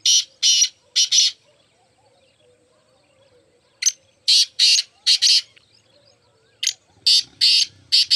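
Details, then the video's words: Black francolin, one of four birds, gives three separate bursts of loud, scratchy, buzzing notes in grouped phrases of three to five, with quiet gaps between the phrases. "Black 4 francolins in action"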